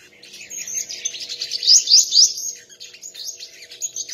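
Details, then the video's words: Contest song of a sunbird: high scratchy twittering building to three loud, sharp upslurred notes in quick succession, then softer chatter. "chim hút mật hót đấu"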